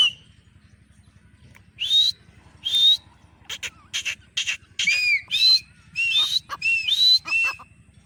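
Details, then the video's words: Female grey francolin (teetar) calling: after nearly two quiet seconds, a series of high, sharply rising whistled notes repeats about every half second, mixed with short clicky broadband bursts and a few lower slurred whistles. "teetar awaz || teetar voice || teetar ki boli || teetar sound"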